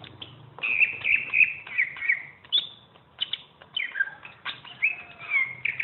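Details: Greater green leafbird singing in a champion tutor recording: varied clear whistled phrases, slurred notes rising and falling, separated by short pauses, with a faint low hum beneath.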